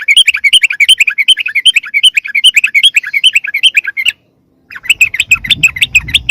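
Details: Sooty-headed bulbul lure call, used to draw wild bulbuls closer. A fast, excited chatter of bright, bubbling notes, many per second, runs for four seconds, breaks off briefly, then resumes over a faint low rumble.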